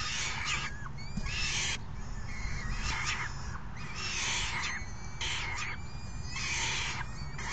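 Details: A raucous crowd of falcon youngsters begs during feeding by a parent on June 3 2018. Short, rapid harsh squealing notes, often overlapping, break out in repeated bursts above a low, steady drone.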